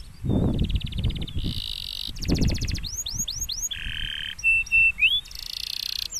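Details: Champion canary song said to hush other canaries: varied phrases of fast buzzy trills, rapid curved whistles and short steady tones, shifting every second or so, over low thumping background noise.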